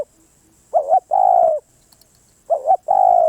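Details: Two cooing phrases from a spotted dove, each a brief undulating note run into a sustained, level, mellow coo, separated by a quiet pause.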